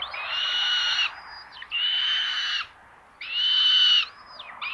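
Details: Common buzzards on a nest camera in Tiszalök, Hungary, early morning of 30 May 2022, with a sister taking prey from her brother: long, drawn-out rasping screams about a second each, with short thin slurred notes between them.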